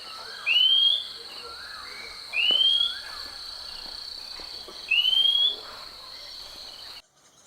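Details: A garden Oriental Magpie-Robin in western Thailand gives its single clear, rising whistle, a call often heard early in the morning, three times about every two seconds over a steady insect hum.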